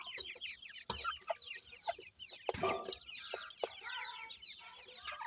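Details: A group of Sindhi grey francolin chicks at feeding, peeping constantly in short down-slurred notes, punctuated by loud sharp clanks and a burst of rough noise midway.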